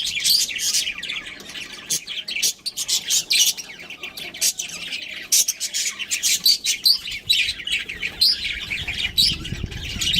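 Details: Pet budgies, a breeding pair, chattering nonstop: bright, rapid high chirps and buzzy warbles in quick bursts, with a low rumble of handling noise near the end.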